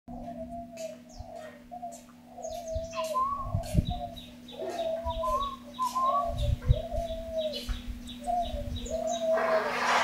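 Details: Tame wild spotted dove, set outside to sunbathe on a warm, sunny day, giving soft, low coos in repeated short phrases, with occasional higher notes, a man talking nearby and a low hum.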